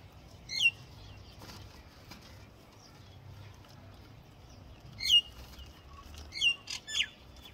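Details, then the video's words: Common myna singing: a few short, sharp descending chirps with ringing overtones, spaced apart, the last two close together near the end, over faint low background rumble. "Common Myna Bird Song | Common Myna Sound | Common Myna Call | Indian Mynah Sound | Myna Singing"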